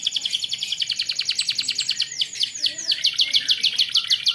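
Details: Canary song used to coax young birds into singing: a dense, rapid buzzy trill throughout, broken midway by several downward-sweeping whistled notes before the rolling trill resumes.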